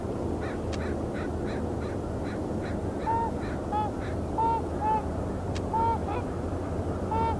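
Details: Trumpeter swans landing on the sea at Iona Beach, Richmond, British Columbia, Canada, on 19 March 2019; short nasal honks ring out every half second to a second over a steady rumble of surf and wind.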